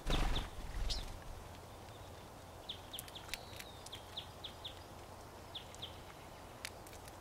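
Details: Feeding crossbills give short, sharp, high chips in loose runs of two or three, with scattered dry crackling clicks and a couple of heavy thumps at the start.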